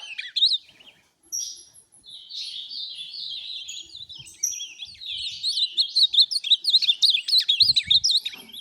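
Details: Ultramarine grosbeak (azulão), a tournament-type bird, sings a rich, fast warble of high, looping whistled notes, starting with brief phrases, then running almost continuously in a bouncing, wavering stream, with faint low thumps near the end.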